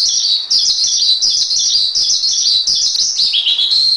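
A Javan pied starling delivers a loud, unbroken run of high, scratchy chatter mixed with squeaky whistles, barely pausing across four seconds.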